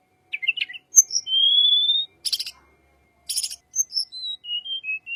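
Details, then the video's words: Calm-sounding lure song of a wild tledekan: a brief twitter, a long level rising whistle, two raspy bursts, then a descending series of short clear whistled notes. "pancingan burung tledekan liar.. suara adem"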